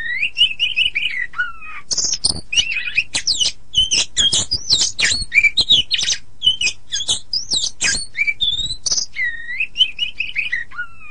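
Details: Oriental magpie-robin master song for songbird training. A long, varied stream of mellow whistles, sharp high squeaks and scratchy chatter, with twisting slurred notes repeated in quick, energetic succession.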